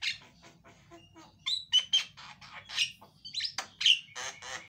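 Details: Loud Javan myna song played to draw a silent myna into song; scattered raspy chatter, then strong grating squawks and brief bright whistles after the first second and a half, over a faint low hum.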